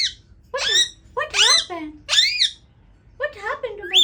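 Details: Indian ringneck parakeet kept as a pet, trying to talk: four loud, clear speech-like phrases, each an arching harmonic glide, the last trailing into softer chatter.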